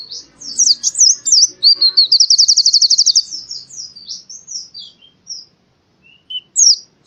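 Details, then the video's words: Forest-style white-eye (pleci) song from Central Java, Indonesia, a tutoring recording: varied high zigzag notes leading into a rapid even trill, then slower wandering chirps and a few scattered high calls, with faint low background rustle. "masteran burung pleci suara seperti di hutan"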